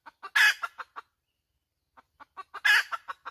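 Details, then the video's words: Hen clucking: short, evenly spaced clucks build into one loud, harsh, drawn-out squawk, then trail off in more clucks. The same phrase repeats after a pause of about a second. No other sounds. "Suab poj qaib tsauj dib tuaj zoo heev"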